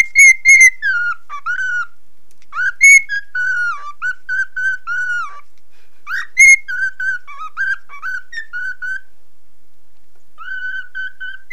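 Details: Young pet cockatiel, nine months old, following a mobile phone with its song: loud bursts of bright whistles separated by gaps, each phrase opening high then stepping down into steady, level notes.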